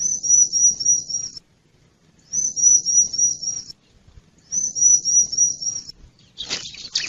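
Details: Wild bar-winged prinia lure sound for attracting birds: three drawn-out, thin, very high trembling trills, each over a second long with gaps between, ending in a short harsh burst.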